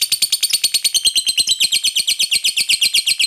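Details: Lovebird's ngekek chatter, used to call companions and draw answers from other lovebirds: a rapid, steady run of scratchy notes, about seven each second, continuing without pause.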